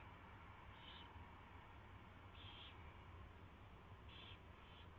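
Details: Owl calls at a nest during mouse delivery and feeding, 4:21 AM, February 24, 2016; three or four faint, brief hissing screeches spread over five seconds above a steady rumbling hum.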